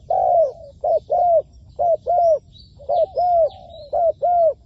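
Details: Decoy spotted dove used in trapping, cooing steadily: paired low, hollow notes, a clipped coo followed by a longer sliding one, about one pair per second, with faint high twitters from other birds.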